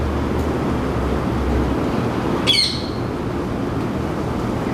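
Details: Single harsh, descending screech from a male rose-ringed parakeet perched in a ceylon ironwood tree outside a window in Singapore, where the species is introduced and now breeds. Steady low traffic rumble underneath.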